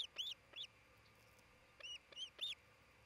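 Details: Osprey at its nest in Charlo, Montana, one of a pair raising a new family, recorded 27 June 2018 around noon; loud, piercing whistled chirps, rising and falling sharply, repeated in quick series of about eight notes.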